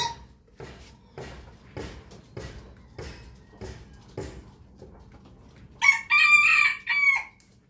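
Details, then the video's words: Rooster crowing in the morning after a series of regular knocking or tapping sounds about every half second; the crow is high, shrill and broken into two parts. "rooster crowing sound effect"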